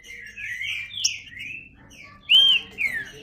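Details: Green-winged saltator song made of several slurred whistles, a quieter middle pause, then one loud pure arched whistle and a final descending note.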